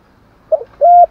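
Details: Short spotted dove 'thúc gù' fragment: a brief soft coo followed by a clear, flat, hollow held note.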